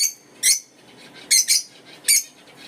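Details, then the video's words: Shrill, rasping chirps from African lovebirds, three short bursts spaced about a second apart, the middle one a quick double note, with a soft steady hum underneath. "African love birds chirping sounds"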